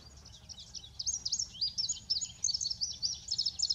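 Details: Male indigo bunting sings a lively string of high, paired notes that sweep up and down. The song grows louder and ends in rapid doubled notes. Light low background noise.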